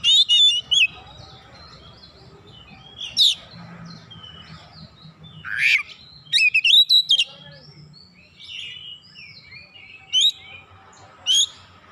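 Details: Oriental magpie-robin lure song with mimicked fill: scattered whistled chips, a harsh rasp, and rapid clusters of rising whistles between quieter gaps over faint background hum.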